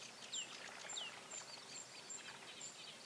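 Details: Fledgling bearded tits from 2017: two clear downward-slurred whistles early, then soft pinging and a regular faint high ticking over a background hiss.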